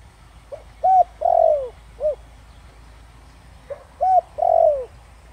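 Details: Spotted dove of the Thổ Đồng singing style, played to draw a quick response from wild doves. Two identical mellow phrases, each of four notes, with the third a long sliding coo dropping in pitch.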